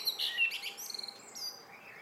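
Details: Brief burst from a common blackbird's evening song, made of quick high squeaky notes and a short rapid twittered run that fades into soft background hiss.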